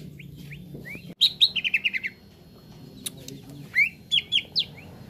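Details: Green leafbird (cucak ijo) song for a therapy recording meant to make birds sing quickly and fully. Short rising whistles, then a rapid descending run of buzzy notes, sharp clicks and later bright slurred whistles over a low hum.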